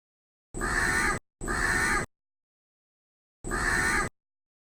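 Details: A crow in a tree utters three long, grating caws, two back to back and then one more after a short pause, against silence.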